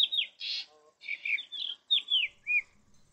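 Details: Black Drongo, a fork-tailed scrubland bird and skilled mimic, giving a run of harsh, slurred notes and a rasping burst, with clear downslurred whistles near the end, spaced at uneven intervals.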